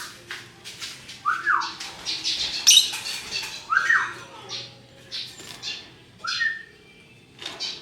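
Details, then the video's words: Lovebirds of various colours giving the chattering ngekek song: rough squawks and short rising notes, several bursts a few seconds apart, with a low steady hum underneath. "Burung Lovebird Rupa Rupa Warnanya, Burung Paruh Bengkok, Bunyi Ngekek Gacor"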